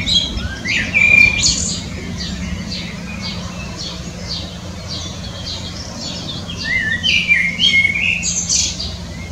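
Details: Common blackbird singing melodiously: short fluted whistles near the start and again late in the clip, with a dense scatter of high, squeaky twitters between them. A steady low hum runs underneath.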